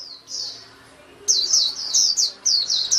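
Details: Singing white-eye giving a high sweet warble: a drawn-out whistled note, a brief pause, then a quick tumbling run of slurred high notes, over a faint low hum.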